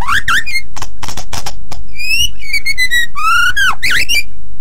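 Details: Singing white-rumped shama used as a song tutor for other birds. Slurred whistles and dry clicks lead into level whistled notes and a rapid descending trill, ending with a looping whistle.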